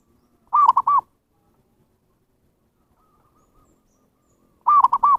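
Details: Zebra dove cooing used as a lure for wild birds: two rapid three-note rolling phrases about four seconds apart, a faint softer coo heard in between, otherwise silent.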